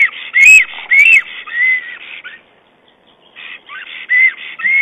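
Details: Male black stork at a nest cam on 22 April 2009, calling to its mate while arranging twigs and moss in the nest: clear whistled, arched notes repeated almost twice a second, with a short pause mid-sequence before the whistling resumes.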